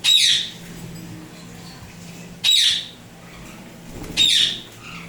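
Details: Pet Indian ringneck parrots of turquoise blue and turquoise blue harlequin colouring, kept tame indoors, screeching three loud, piercing squawks spaced about two seconds apart over a quiet room hum.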